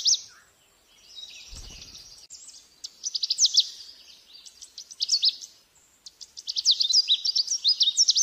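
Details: Canada warbler song: quick, jumbled bursts of high, sharp chips and twitters, run together in an energetic chatter, with one brief low thump near the start.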